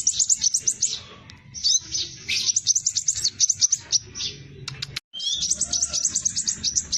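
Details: Hair-crested drongo lure song for training birds, delivered in a tight rapid roll: dense strings of very high, quick repeated chattering notes in several bursts, broken by a brief silence before another fast run.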